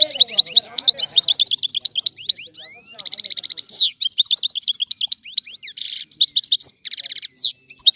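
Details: European goldfinch from Sicily delivering a rare old-style song to stimulate goldfinches: busy tinkling twitter with repeated buzzy trill bursts and high upslurred whistles, phrases following one another almost without break; faint lower chatter at the very start.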